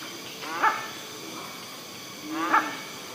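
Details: Hornbill in the forest of Rajaji National Park: two coarse, barking, harmonic calls about two seconds apart, each with a short lower note, against a faint forest hiss.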